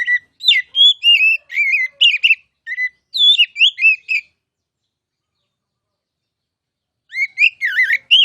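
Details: Oriental magpie-robin (kacer) singing a masteran tutor song for future contest champions: rapid varied whistled phrases, sliding and warbling, then a long pause before another burst of bright notes.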